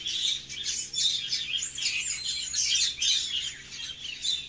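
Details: Tweeting birds give sharp, high chirps and thin whistled slides, bunched into clusters about every second.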